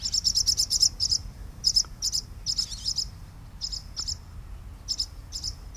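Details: Barn swallows, parents guarding young from nest to flight, give sharp, high chirps in quick bursts of several notes, broken by short pauses, over a faint low rumble.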